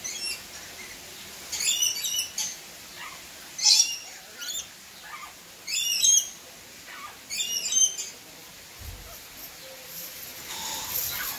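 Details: Rainbow lorikeets at Palmitos Park give shrill, harsh screeches in short bursts about every one to two seconds, with fainter chirps from other birds behind.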